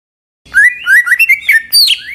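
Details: Greater green leafbird song used as a lure to stir other leafbirds into singing: a short phrase of clear, slurred whistles wavering around the middle register, rising toward higher, brighter notes at the end.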